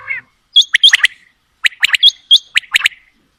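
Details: Quail pair calling, female and male mixed: quick, loud clusters of sharp, clicking, high notes in rapid bursts, two phrases with a short gap, recorded close with no background noise.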